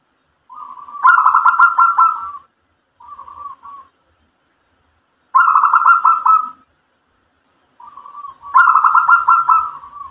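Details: Zebra dove of local stock singing gacor mbekur song to stir other doves into answering, with three bursts of fast pulsed rolling coos, each led or followed by a softer, lower short coo, spaced about three seconds apart.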